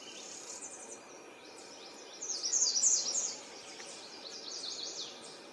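Yellow warbler singing a brief burst of bright, high, quick notes near the middle, over a steady hiss of insects and outdoor noise.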